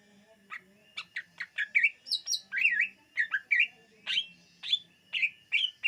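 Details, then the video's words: Lure song of the greater green leafbird: a varied, energetic string of whistles, chirps and looping slurred notes, some mimicking higher squeaks, delivered rapidly for several seconds with faint low hum beneath. "SUARA BURUNG CUCAK IJO UNTUK PEMIKAT DIJAMIN TERPIKAT"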